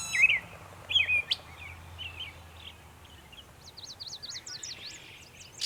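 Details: Northern Mockingbird in Savannah, New York, on 23 May 2021, making many sounds: it runs through varied chirps and warbles, then repeats a quick, high, sharp note about eight times before a brief burst of noise.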